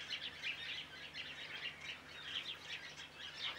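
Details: Big mixed woodswallow flock, chiefly white-browed with a few masked, producing a continuous mass of short bright chirps that swell and fade in quick pulses throughout.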